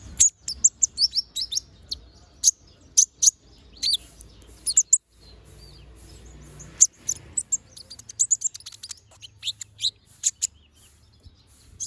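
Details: Balding young konin bird in moult, vocal and lively, giving rapid runs of thin, high-pitched chirps and tinny twitters in irregular bursts separated by brief pauses, with low background hum.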